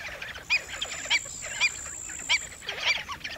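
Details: Black-winged stilt giving four loud, clipped, nasal barks, roughly one every half second, against a busy background of softer chattering calls.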